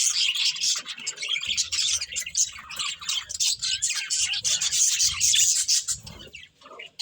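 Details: Nonstop budgerigar chatter: fast, scratchy chirps and warbled notes in an uneven stream, with faint low rumbling beneath.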